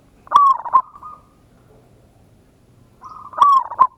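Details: Zebra dove lure song, local strain, ngayer kerot nutut style, aimed at getting an immediate reply. Two rolling coo phrases, each starting with a sharp click and ending in a clipped note, separated by a quiet gap.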